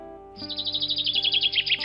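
A goldfinch gives a quick, high, tinkling twitter of rapid chirps over a steady low musical drone.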